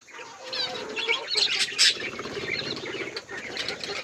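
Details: Budgerigars chirping while eating seeds: a dense, overlapping chatter of short, high twittering chirps and warbles from several birds, with a few louder squeaks near the middle and no pauses.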